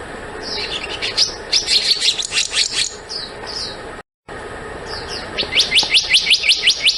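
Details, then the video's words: Black-naped monarch: bursts of rapid, high, sharply rising notes, about six a second, repeated in two runs split by a brief silence, with faint slurred notes from other birds behind. "黑枕藍鶲的叫聲/Sound of Black-naped Blue Monarch"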